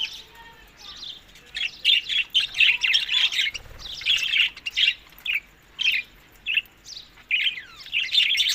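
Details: Budgerigars feeding in summer, May to June, in Larkana, Sindh: soft at first, then lively runs of overlapping high chirps and squawky notes in uneven bursts.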